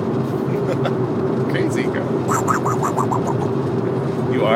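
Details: An African grey parrot named BabyGirl talks in short, rapid, speech-like syllables, mimicking a phrase like "crazy girl", over a steady indoor hum and background noise.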